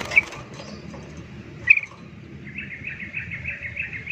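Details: Sooty-headed bulbuls, a wild bird fighting another and stirring others into noisy agitation: two sharp bright notes, then a rapid chattering series of mid-high notes, with wing flapping.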